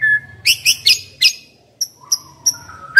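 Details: Caged decoy white-rumped shama producing several harsh, broad chattering notes, then a pause followed by thin high clicks and a soft low whistle, with a faint hum in the background.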